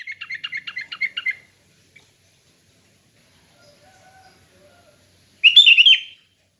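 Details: Relaxed ngeplong-style sooty-headed bulbul song, used for training other bulbuls: a quick burst of evenly spaced chirping notes, a long pause, then one rich warbled phrase.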